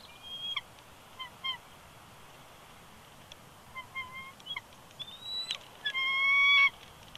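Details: At a Big Bear Lake, California nest in January 2020, a male bald eagle protests being coaxed off the eggs by his mate, giving scattered short piping whistles that end in a louder, sustained, slightly rising whine.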